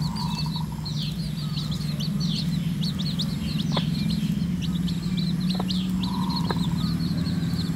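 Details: Red junglefowl hen leading her chicks to feed in natural surroundings; thin, high downslurred peeps from the chicks repeat rapidly and irregularly throughout, with a brief lower tone and a steady low hum in the background.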